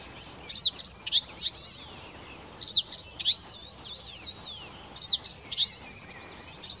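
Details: Blyth's reed warbler in song, giving three clusters of varied high notes: sharp upslurs, thin whistles and dry ticks, each phrase lasting about a second, then a falling whistle and short pause before the next.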